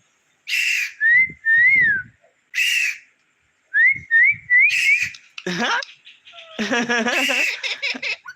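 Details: Household talking parrot makes short upslurred whistles and scratchy squawks, then a burst of human laughter follows after its owner asks it to laugh.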